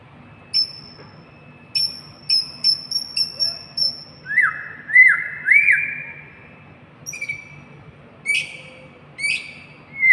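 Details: White-rumped shama song: sparse thin high ticks spaced irregularly, then three short rising slurred whistles in a row, more scattered high notes, over a steady low hum.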